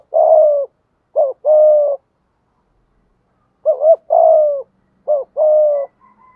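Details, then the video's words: Spotted dove used as a lure to bring in wild doves, giving rapid 'thúc gù' coos: repeated phrases of short rising notes and long steady falling coos in quick succession, quiet between phrases. "chim cu gay thuc gu, chim cu gáy bài bản giúp bổi nghe gáy theo và rất nhanh nổi"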